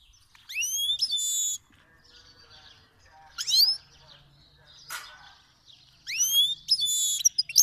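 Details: Himalayan goldfinch, a black-headed cross from Fars province, Iran, sings to teach young birds: bursts of rising slurred notes and buzzy trills separated by quiet gaps, with faint background hum.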